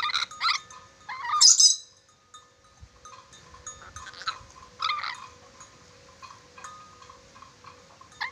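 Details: Red-breasted parakeet from Sulawesi, a bird noted for whistling a lot; short harmonic whistled notes in a few bursts, with one brief harsh screech near the start, then quieter scattered calls and a faint steady background tone.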